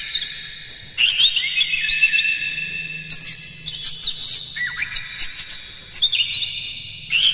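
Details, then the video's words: Oriental magpie-robin song played to make other magpie-robins sing and fight: sustained whistled tones with scratchy inflected notes and a brief downward slur, over a steady low hum. "Suara PANCINGAN KACER paling gacor KONSLET Buka Ekor bongkar MATERI KERAS PADAT agar KACER emosi"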